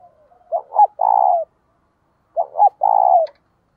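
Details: Captive decoy spotted dove giving its calling coo twice: each phrase has two quick low hoots and then a sustained, vibrating coo, with the two phrases about a second and a half apart in still surroundings.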